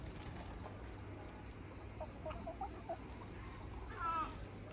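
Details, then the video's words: Hens with a free-range Red Mía rooster flock on a farm give soft, evenly spaced clucks, then a louder drawn-out harmonic squawk near the end, against constant low outdoor noise. "Beautiful Free-Range Red Mía Rooster Flock with Hens – Long Farm Video Natural Sounds"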